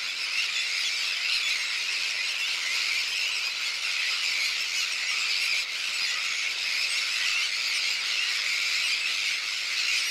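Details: Sandwich terns at a big nesting colony on a shell beach, with chicks of different ages and adults bringing fish. Many birds call at once in a steady wall of shrill, grating cries that lasts the whole stretch.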